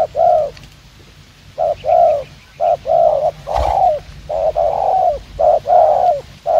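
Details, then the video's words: Spotted dove, a wild-caught bird set out as a decoy, giving fast-paced cooing: low, mellow coos in quick bursts of about ten notes, several with a falling, slurred ending. The calls run almost without pause. "Gác Cu Gáy . Bổi Đẹp Trai Có Nước Gù Tốc Độ."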